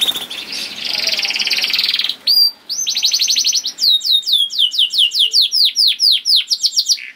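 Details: A canary's song opens with a fast buzzy trill, then a rattled passage, then a long run of loud descending whistled notes repeated quickly, each sharply slurred.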